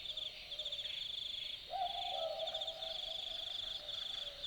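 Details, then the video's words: An Australian Boobook (Ninox boobook) calls once at night in Dharug bushland, Australia. Its low double hoot, 'boo-book', has the second note softer and slightly lower. Loud rhythmic insect trilling continues throughout. "Boobook Owl Call - The sounds of an Australian Boobook calling at night"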